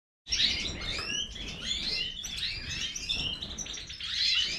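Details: European goldfinch of the large Major form singing a fast, liquid twittering song: bright chirps and short slurred whistles tumbling over one another without pause.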